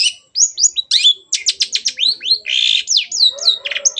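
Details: Vigorous long-tailed shrike (cendet) song meant to prompt reluctant birds to sing: a fast medley of clear whistled slides, buzzy trills and harsh rasping notes with almost no pause.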